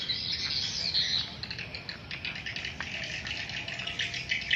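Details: Many swiftlets calling inside a swiftlet house: overlapping high-pitched buzzy chatter and squeaky chirps forming a steady wash of sound, with brief louder bursts near the start and end.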